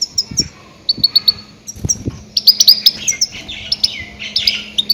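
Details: Goldfinch calling loudly to attract grey-headed goldfinches for capture, a lively series of quick high chirps and twitters, three evenly spaced notes early on, then a denser twittering stretch, with a few low thumps.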